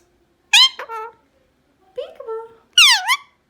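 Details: Indian ringneck parrot indoors making a harsh screech, a softer voice-like note, and a loud V-shaped call that dives and climbs back up.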